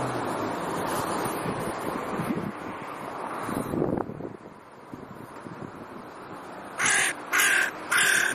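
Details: Crows returning to their territories in October, a family group including last year's young, give three loud harsh caws near the end, about half a second apart, after a long stretch of heavy wind noise.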